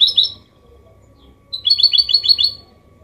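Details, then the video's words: Goldfinch hybrid (mule) singing a clean 'copia malaga' style song, used to stimulate males to sing and to teach chicks: a short double note, a pause, then a rapid run of about six bright, high twittering notes. "Mixto jilguero Limpio canto (copia malaga) Elegante / mule of goldfinch bird singing the best sounds"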